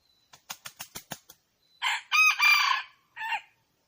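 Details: A red junglefowl flaps its wings about seven times, then delivers a full hoarse crow of three parts, with a rising start, a long strained middle and a short final note.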